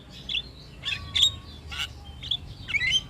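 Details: Javan myna singing busily at all hours, a song said to set other birds calling along, used as a tutor recording for songbirds: about six short bursts of harsh, squeaky chattering notes mixed with clear high whistles over roughly three seconds.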